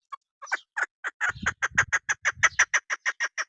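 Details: Female chukar partridge (keklik) call of a local mountain bird used by hunters. Sparse clucking notes speed up into a steady, rapid run of harsh chuck notes with low thumps beneath.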